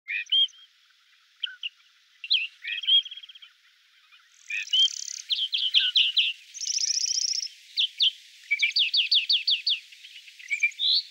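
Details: Great grey shrike filmed in the Loonsche Land, between the Loonse en Drunense Duinen, Huis ter Heide and the Efteling: varied high chattering phrases, short sharp notes and quick runs of repeated clipped chirps with brief pauses.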